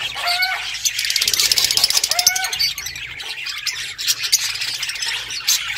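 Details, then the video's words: Budgerigars chirping: two stacked, rising whistled calls stand out early and midway over dense, high, buzzy chatter from several birds that carries on throughout. "Budgies sounds to make them happy | Parakeet Chirping"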